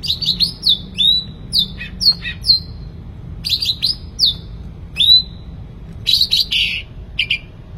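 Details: Sooty-headed bulbul singing actively, with bursts of sharp whistled notes that slur downward, some quick chattering clusters, and pauses between phrases over a low steady background hum.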